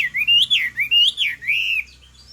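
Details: Chinese hwamei female singing to excite a male: a few loud, looping whistled notes that rise and fall in quick succession, ending in a sustained sweeping whistle.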